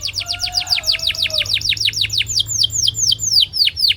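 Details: Singing canary used to train other canaries: an unbroken run of loud repeated down-slurred whistles, about four per second at first then slowing, with a faint lower whistle in the background early on.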